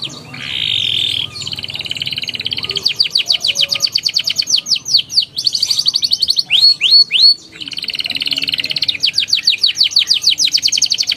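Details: Canary song used to draw young canaries into singing: a held whistled note, then long fast rolling trills and rising sweeps, with three loud upswept whistles in the middle.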